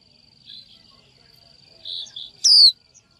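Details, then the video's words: A female Japanese white-eye calls to a male, encouraging him to sing: soft low twitters, then one loud, sharp, high note sliding downward, over a continuous faint electronic whine. "Chim vành khuyên mái chíu gọi trống cực hay, kích bổi hót ngay!"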